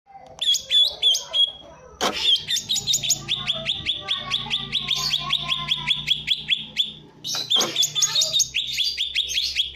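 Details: Green leafbird (cucak ijo) singing in the tembakan style, a rapid burst: high, sharp notes fired in fast strings, broken by a loud click, then resuming with a long run of evenly repeated chips and a final jumbled flourish.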